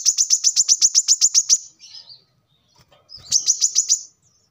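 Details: Kolibri kelapa or manggar, the brown-throated sunbird, singing vigorously for use as a lure or training model: a fast, regular run of bright, high chips, a pause, then a shorter second run.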